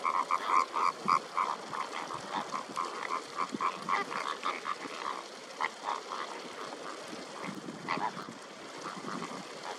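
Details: Greater flamingo calls: a dense chorus of repeated nasal, honking notes from many birds, about three to four per second, over a constant background hiss.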